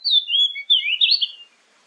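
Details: Oriental magpie-robin lure song, used morning and evening to prompt other magpie-robins to answer: a short run of clear, sweet whistled notes sliding between high and mid pitch, with no other sounds.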